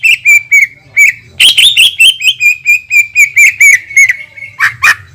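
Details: Greater green leafbird song used as a lure to make rival leafbirds react: a long unbroken string of quick, ringing, high-pitched notes with a few sharp accented chirps near the end.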